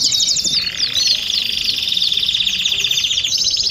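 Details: Several canaries sing simultaneously, meant to prompt singing. Buzzy sustained rolls blend with quick zigzag trills and sharp whistles into a bright, continuous chorus.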